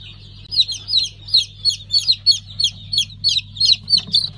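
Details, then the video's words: Newly hatched pheasant chicks, five-colour stock, 3 August 2019, call in clear, loud high peeps repeated about three times a second, each a quick falling chirp, with a faint low hum behind. "5 Renk Fizan - Yeni Civciv Çıkımımız."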